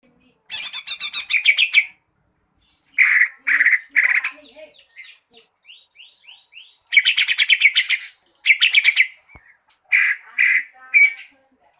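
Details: Green leafbird lure song meant to prompt other birds to sing: bursts of rapid, rattling high notes alternate with slurred whistles and short buzzy chips, with pauses between phrases.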